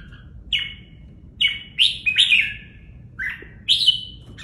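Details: Caged red-whiskered bulbul in a training cage, body feathers pressed tight, delivering a quick series of clear, slurred whistles, some with a trailing downward glide, about six phrases in quick succession.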